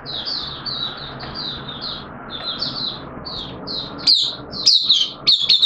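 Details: Caged oriental white-eye on 13 September 2022, day two of a monthly deworm treatment; a run of soft, evenly spaced high chirps, swelling to louder sharp twitters toward the end.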